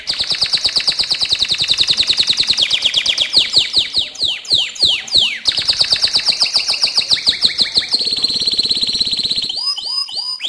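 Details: Canary (Serinus canaria) mating song: a fast, rolling song of repeated trills.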